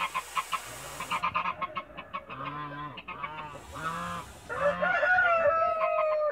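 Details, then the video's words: Toulouse geese, a mother guarding her eggs in a backyard: a run of short harsh honks and clucking notes, then louder nasal drawn-out honking calls with rising tones toward the end. "MOTHER TOULOUSE GEESE GUARDIAN THE EGEES IN THE BACKYARD"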